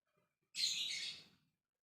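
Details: A lovebird sings ngekek, calling out to other lovebirds to make them answer; one piercing, scratchy high-pitched burst lasts about a second before fading, with faint low rumble underneath.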